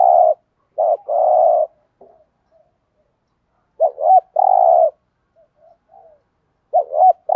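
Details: Spotted dove calling in 'thúc gù' style to attract wild doves. Low throaty two-note hoots and long droning coos come in uneven bursts, with soft quiet murmurs between phrases.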